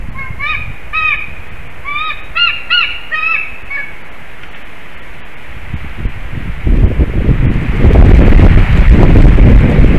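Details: White-tailed eagles bonding at their Slītere nest in Latvia, late February 2021, morning. Rapid ringing yelps sound for about four seconds, then stop, followed by loud rumbling, rustling noise that builds and dominates the rest.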